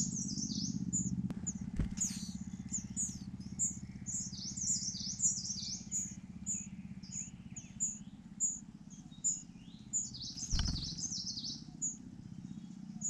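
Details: Rufous-bellied niltava at a nest in Yunnan, China, with a handsome, hard-working male: thin high-pitched chirps repeated rapidly and irregularly over a steady low hum, with a couple of sharp knocks.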